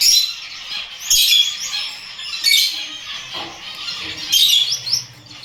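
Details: Gouldian finch, a kept bird, producing high twittering bursts with thin rising whistles, three main outbursts roughly a second and a half apart over soft background chatter.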